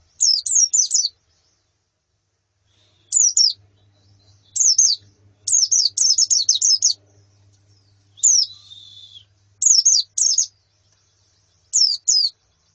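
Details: Female and colony white-eyes calling as therapy for a male's singing: scattered groups of shrill, falling chips, some runs rapid and tightly packed, others single, with a brief thin whistle midway.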